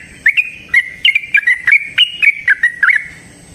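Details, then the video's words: Energetic yellow-vented bulbul song, a long 'ropel panjang' run used as a lure for other bulbuls: about a dozen quick, bright chirps delivered in a tight, bubbly sequence. "Trucukan GACOR ngalas ROPEL PANJANG suara alam AMPUH buat pancingan"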